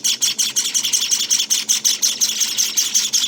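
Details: Java finch nestlings at day 19 give rapid, hissy, high chirps, each a short broadband burst, repeated almost three times a second in a steady insistent stream.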